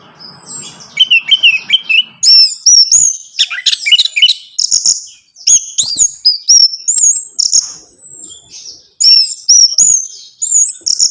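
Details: Song of an orange-headed thrush, used to prompt a caged bird into singing; varied rising and falling whistles mixed with quick twitters and sharp chips, with faint low rumbling at the beginning.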